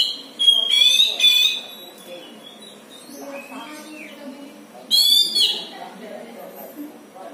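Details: White-rumped shama kept at home as a hobby songbird, uttering an odd sound: two loud bursts of ringing, rattling whistled notes several seconds apart, with soft speech murmuring in the background.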